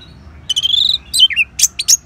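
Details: Orange-headed thrush from northern Bali, played to prompt caged birds into song: a brief sweet whistled phrase, falling slurred notes, then sharp high chirps.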